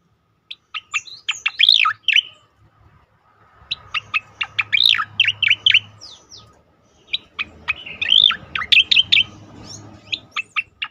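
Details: Striated grassbird in 'tembakan' style, played to train and provoke other birds: three long bursts of rapid high chirps mixed with loud sweeping whistles, separated by brief quieter stretches.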